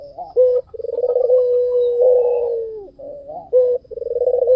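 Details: Lively white dove: a sharp short coo opens into a long, vibrating, purring coo that slides downward at its end, then the same pattern starts again.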